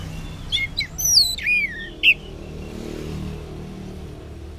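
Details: Orange-headed thrush singing in the morning, used as a lure so that silent males answer: a few whistled notes and sliding phrases, high and thin, with short gaps, over a steady low rumble of traffic.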